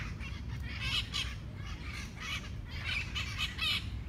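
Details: Raspy, grating squawks come in paired bursts, with clusters near one second and again near three to four seconds, from monk parakeets fighting over food in Barcelona's Parc de la Ciutadella, Spain; mitred parakeets squawk in trees above.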